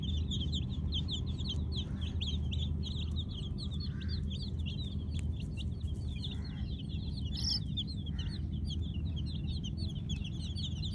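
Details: Baby chicks of the Kolor breed at night, giving a dense, continuous chorus of short high peeps that overlap without pause, over a steady low hum throughout.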